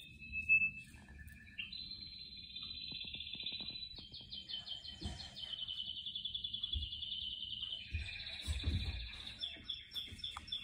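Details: Canaries chirping indoors among plants: a quiet warbling song of long whistled tones, rolling trills and buzzy phrases, with occasional low thumps and background room noise.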